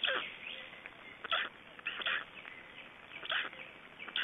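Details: Estonian Black stork nest, 26 May 2012, during a feeding. Short hoarse, buzzy bursts come roughly every second or two, each a thick rasping cluster, over a faint background hiss.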